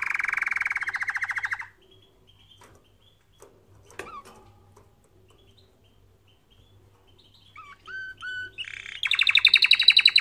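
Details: Canary song for training canaries: a loud, fast rolling trill near the middle of the range for over a second, then a quiet stretch with a few scattered notes and short whistles, closing with a rapid, higher buzzy trill.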